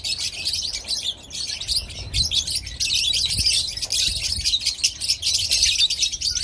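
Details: A flock of caged lovebirds in Pakistan chattering together: a dense, continuous wash of high, shrill chirps and twitters from many birds at once, with occasional low thumps.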